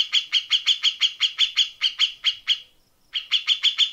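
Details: Grey-cheeked bulbul in the rapid, harsh 'tembakan rapat besetan kasar' style, recorded for tutoring songbirds: a quick, even string of sharp high chips at about four per second, a short pause, then the string resumes.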